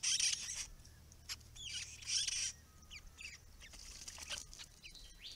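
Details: White-browed babblers, a group of up to seven seen together, at a pond in a curlew protection area with grassy understory; harsh scratchy chattering bursts with thin whistled notes, restless and noisy, separated by quieter gaps.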